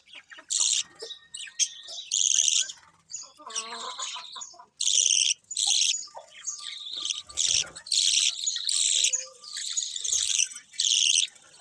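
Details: Colourful budgies chirping in bursts: loud clusters of high, scratchy warbles and twitters about a second long, separated by quieter gaps with softer notes.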